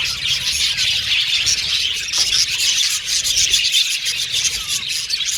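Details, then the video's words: Many budgerigars of an aviary colony chattering together, a dense high twittering wash with scratchy squawks mixed in, unbroken from start to end. "Beautiful Budgies Chirping Sound"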